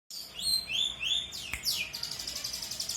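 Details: Long-tailed shrike in full song, used as a tutor recording for training young birds: rapid high, bright chirps and slurred whistles, then a descending sweep into a dense, buzzy trill.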